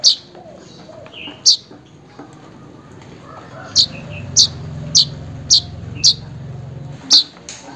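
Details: Weaver calling to a rival or mate to provoke a silent bird: about nine bright, clipped chirps, sparse at first, then a faster run of six, with a low droning hum underneath.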